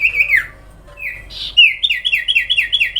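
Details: Sooty-headed bulbul singing a long sustained song: falling whistled notes, a short pause, then a rhythmic series of about eight repeated slurred whistles, over faint low background hum.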